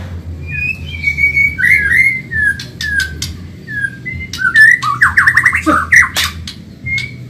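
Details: Caged Medan white-rumped shama in fast, energetic training song: long clear whistles, then bursts of quick slurred notes and sharp clicks, phrases changing every second or so over a constant low electrical-sounding hum.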